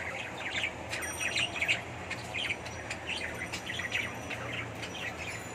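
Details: Indoor colony of budgerigars kept for breeding in Bangladesh, giving continuous busy high-pitched chirping and twittering from many birds at once over a low steady hum.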